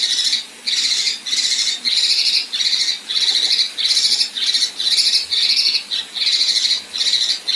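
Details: Female Kinoi with 'besetan kasar' material for contest birds: a steady, almost unbroken run of coarse rasping bursts, roughly two per second, each scratchy and hissing.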